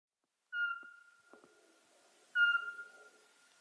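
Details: Eurasian pygmy owl, recorded in Ukraine, giving two clear, flat whistled notes about two seconds apart, each lingering as it fades; a few faint clicks between them.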